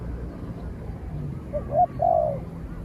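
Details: Spotted dove in a calling contest with a distant wild dove. One soft phrase late in the clip: two quick hoots followed by a longer, slightly falling coo, over steady low rumbling noise.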